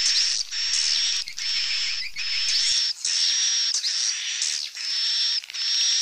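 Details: Swiftlet calls: dense, buzzy, chattering sound with a steady high whistled tone, in bursts about a second long separated by short gaps, repeated through the recording.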